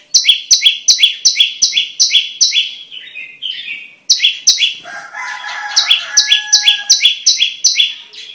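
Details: Prenjak lumut prinia pouring out rapid buzzy double notes, recorded for tutoring songbirds and for luring: a quick run, a break with a lower warbling phrase, then the fast repeated notes resume over a softer second voice.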